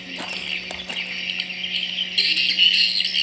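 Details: Swiftlets in a swiftlet house, recorded as their real sound: a dense, high, buzzing twitter that runs without break and grows louder after about two seconds, over a low steady electrical hum.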